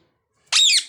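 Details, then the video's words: A single harsh, buzzy parrot squawk after a silent start, cut off as another cry begins. "parrot birds talking"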